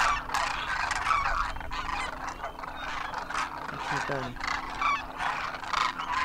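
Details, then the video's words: Huge wild flock of Demoiselle Cranes wintering in Rajasthan, India, trumpeting in flight; a loud chorus of harsh rolling calls with scattered clearer notes, plus a brief low human voice partway through. "Demoiselle Cranes darken the sky, trumpeting in flight"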